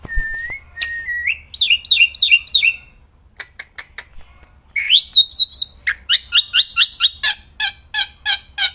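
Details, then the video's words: Black-winged myna, kept bird, with loud unbroken song outdoors: flat whistles, looping wavy phrases, soft ticks, more wavy high whistles, then a regular run of loud rasping chirps. "Burung Jalak Putih Gacorrrnya Edan gak ketolong"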